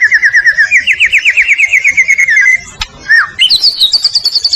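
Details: Actively singing Medan-type white-rumped shama, recorded to train other birds. A long run of quickly repeated trilled notes rises gently in pitch, then a sharp click, then upward-sweeping high whistles.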